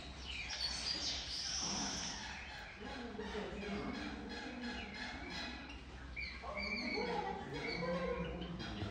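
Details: Java sparrows at Zoo Berlin give quick, sharp chirps and high tinkling notes in a busy run, over a low background hum and what may be faint voices.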